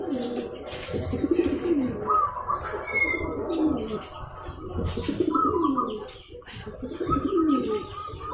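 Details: Local zebra dove cooing to provoke a rival into calling back; low, rolling coo phrases repeat with short pauses, while chirps of other small birds and faint voices sound behind.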